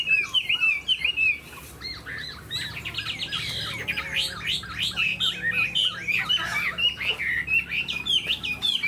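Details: Tame caged Chinese hwamei with a spread tail, showing off eagle-like wing displays, delivering a loud, rich song of rapid looping whistled phrases, dense and varied, with buzzy and squawky notes mixed in and a faint low hum behind.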